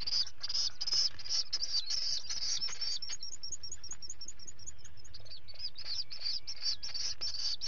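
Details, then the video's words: Common guillemot chick at feeding time, filmed by a live camera on 11 July 2020: dense, high, piping calls repeated rapidly, with a run of short upswept peeps in the middle and a steady low background rumble. "Guillemot chick's breakfast!"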